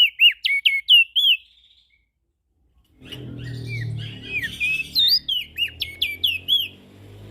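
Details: Ashy prinia in full vigorous calling, played to attract small birds: a rapid run of sharp hooked notes, a short pause, then another lively series over a low rumbling background.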